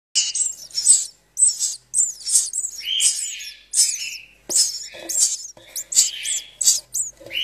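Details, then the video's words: House sparrow chicks, found during building work and left when no mother came, give a rapid string of high, harsh, buzzy chirps, one or two a second, shrill and insistent with slight downward slurs. "Crias de gorrion"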